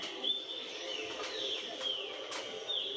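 A Green-winged Saltator sings clear, high whistled notes, some slurring downward, repeated about every second with faint clicks between.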